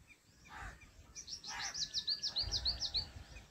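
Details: Jungle babbler chicks in the nest waiting for the mother bird: a quick run of high, thin chirps repeated about three times a second, preceded by two harsher, lower squawks, over faint low background rumble.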